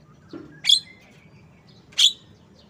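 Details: A Javan myna (Acridotheres javanicus) gives two harsh, scratchy, high chirps about 1.3 seconds apart, over a faint low background hum.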